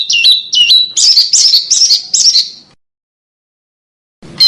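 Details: Master song of a small bird for teaching cage birds to copy other songs: stepped, warbling whistles followed by several short rich chirps, then silence and a final burst of notes.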